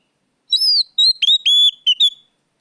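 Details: Oriental magpie-robin (kacer) in loud, full song, used as a lure to get other birds singing: a string of clear, high whistles, some gliding up or down, some held flat, in short bursts over silence.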